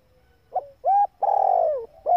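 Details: Spotted dove hen calling to excite males: a short pip, a smooth arched hoot, then a long buzzy purr falling in pitch, and the start of another hoot at the end.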